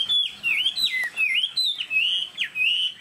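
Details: Cage-kept Chinese hwamei giving loud whistled notes, each a downward swoop followed by a rising slur, repeated about every half second in a steady rhythm.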